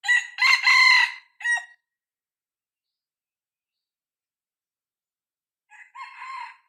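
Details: Six-month-old young decoy junglefowl cockerel, tested in the field to lure wild junglefowl, gives one loud harsh multi-part crow with a short clipped ending, then silence, then a fainter second crow starts at the close.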